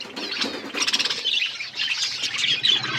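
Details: Budgerigar flock feeding, giving rapid, buzzy, high chattering calls, with pulsing volleys in the middle and squeaky chirps toward the end.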